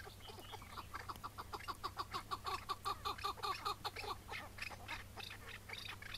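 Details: Chukar partridge of the Iraqi type, wild, in May 2017 during mating season, calling on a morning hunt before capture and release: a rapid run of harsh, clucking chuk notes that swells then fades, over a steady low hum.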